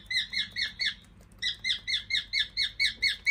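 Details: Indoor pet cockatiel, likely male, performing its walking 'march song': quick clipped chirps in an even beat, with a brief pause of about half a second before the chirping resumes.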